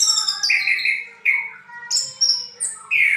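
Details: Orange-headed thrush song in ngriwik style: clear, sustained whistled notes in short phrases, some held steady and others slurring downward, each phrase starting loud and fading, spaced about a third of a second apart.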